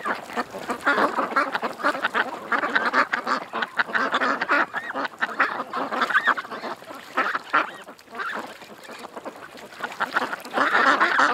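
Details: Ducks gathered at a creek keep up a busy babble of nasal quacks, with some honk-like notes, swelling in bursts and dipping briefly near the end.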